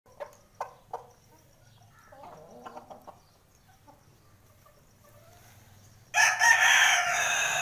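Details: Chicken (Gallus gallus domesticus): a few sharp clucks and soft chuckling notes, then a rooster bursts into a loud, hoarse, ringing crow that runs to the end; the roosters are filmed crowing early in the morning.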